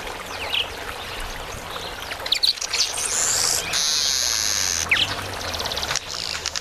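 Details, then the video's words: Two male Southern Masked Weavers chatter at a nectar feeder: harsh, buzzy sizzling and short scratchy notes, including one long hissing rush in the middle. "Chatter of the Masked Weaver"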